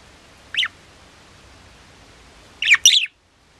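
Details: A pet budgerigar chirps once, then after a two-second pause gives a quick double chirp; the notes are short, bright and slightly squeaky against steady quiet room noise.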